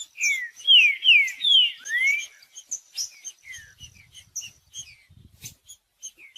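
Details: Green-winged saltator singing, played to warm up a cold bird: a loud run of about five clear whistled phrases, each slurring downward, over the first two seconds, then softer, high, scattered chirps with faint low rumbles.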